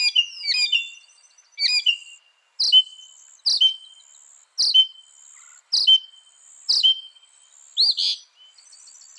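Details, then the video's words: Northern mockingbird repeating a short phrase, a sharp note followed by a flat whistle, about every second, eight or so times, after an opening of varied chirps; faint high tone behind. "Masteran Burung Kicau Mockingbird Gacor - Mockingbird Bird Sound"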